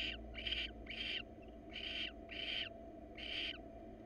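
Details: Wild barn owl pair before breeding, the female inviting the male to mate while he declines; harsh hissing screeches, each under half a second, repeated roughly every 0.7 seconds.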